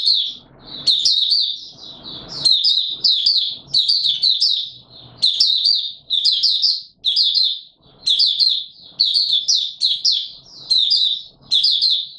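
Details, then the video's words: White-eye on 20 March 2022 in warm humid weather, pouring out high, tumbling twitters in quick successive phrases roughly every second for twelve seconds, with light scratching or fluttering noises in the opening seconds. "Mata Puteh Raja Video 1 buka sing"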